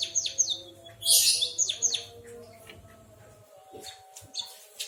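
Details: A white-headed munia imitating a canary gives a cluster of sharp downward-swept chirps and a loud burst of high twittering, then scattered softer notes, with a low hum in the background.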